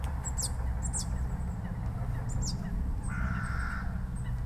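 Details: Eurasian blue tit chirping while cleaning itself, giving a few thin, high, quick chirps spaced irregularly, over a steady low rumble of wind or handling noise.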